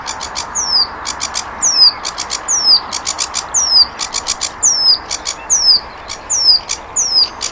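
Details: Flycatcher (sikatan londo) tutor song for cage birds: high, thin down-slurred whistles roughly every second, alternating with clusters of sharp, dry clicking notes in an uneven rhythm.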